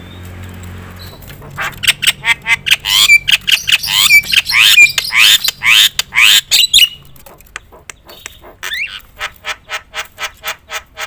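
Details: Javan myna in loud, varied song used to rile other mynas: a long run of harsh rasping notes with short upslurred whistles, then a fast even series of dry clicking ticks.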